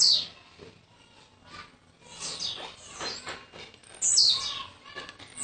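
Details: Blue-black grassquit, a young bird from Jacarepaguá, Rio de Janeiro, that came the previous day; two loud high wheezy downslurred notes separated by several seconds of softer chatter.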